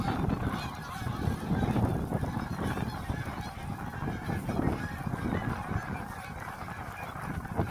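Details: A few hundred geese taking off from Heron Lake during a snow storm. Dense, continuous honking from the flock merges into a loud, rough wash of sound that barely lets up, with heavy low rumbling noise underneath.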